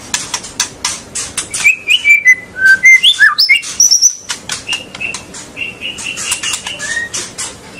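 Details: White-rumped shama song, used to spur young and juvenile birds into singing long phrases: a run of clear varied whistled notes leaping between low and high pitches, surrounded by dry clicking ticks and rustling.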